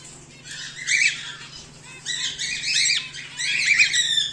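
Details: Captive home-bred cockatiels, among them a whiteface emerald and an exhibition grey male, call in three clusters of scratchy rising squawks separated by short pauses, over a faint low hum.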